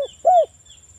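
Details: A local spotted dove, recorded for use as a lure to prompt other doves to call, gives one soft, low, rounded coo that rises slightly and then falls. A steady, thin, high insect-like whine runs underneath.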